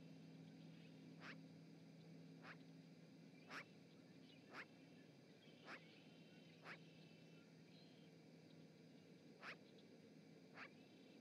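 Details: Magpie chattering around the Charlo, Montana osprey nest, live camera, 7 March 2018: roughly nine harsh, grating notes spread irregularly across the recording, one to two seconds apart, with a low steady hum early on.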